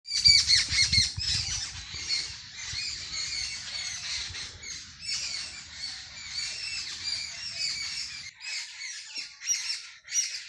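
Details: Sparrows chirping early in the morning in a village: a dense, continuous chorus of many overlapping high, sharp chirps, with a soft low rumble underneath for the first eight seconds.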